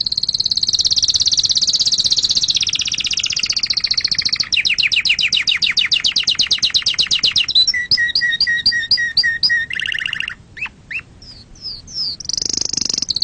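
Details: Song of a canary used to excite other birds and teach chicks: long high rolling trill, faster pulsed rattle, repeated paired chirps, then scattered sweeping notes and a final high tour.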